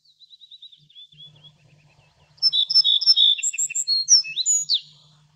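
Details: Little Bunting, Emberiza pusilla: soft, high, evenly spaced notes at first, then a louder burst of rapid, jingling, high-pitched chips and short trills, over a faint low hum.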